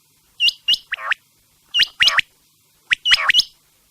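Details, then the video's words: Quail call meant for playing at night: three short phrases about every 1.3 seconds, each of two or three sharp, hooked notes followed by a rougher, buzzy descending note, in silence. "Quails sound specially for night | Raat k liye zabrdast batair ki awaz"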